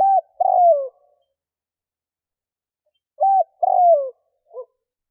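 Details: Spotted dove from Vietnam calling to lure wild doves: a short level coo then a drawn-out falling coo, repeated twice about three seconds apart, ending with a soft short note, over silence.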